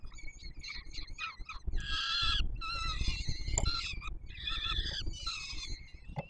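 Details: Warsaw peregrine falcon young at the Palace of Culture and Science, fed by the adult male on 7 July 2022: short scratchy chitters building into longer rasping screams, a few bursts per second, over deep background rumble.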